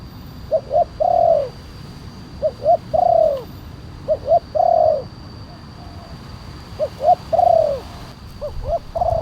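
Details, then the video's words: Spotted dove of the big-voiced kuk 1 style, recorded as a calling lure and master song for other doves. Phrases of two short hoots and a longer falling coo repeat about every two seconds, with a steady low hum behind. "Suara pemanggil burung tekukur kuk 1 penguku suara besar"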